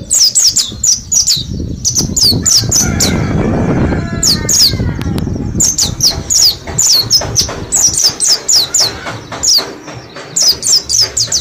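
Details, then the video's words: Caged flock of Mount Slamet mountain white-eyes practising ngalas forest song for ten days: dense runs of thin, high, falling chirps in rapid clusters, with a noisy rumbling stretch in the early seconds. "Pleci gunung slamet ombyokan 10 hari belajar ngalas"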